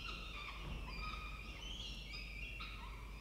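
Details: At a nest in Orange, Australia, a peregrine falcon calls while the male brings in food; several drawn-out, slurred wailing notes, some bending upward, with a low steady hum underneath.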